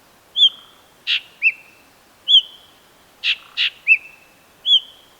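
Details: White-bellied drongo (Dicrurus caerulescens), a noted mimic of dry, open Sri Lankan forests, giving clear, high, upslurred whistles mixed with short harsh rasping notes, about one or two every second, against a quiet background.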